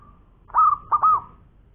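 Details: Local zebra dove singing actively, ngowor koar-koar style: a faint lead-in note, then a bright arched whistle and two quick hooked notes in a tight cluster over a quiet background.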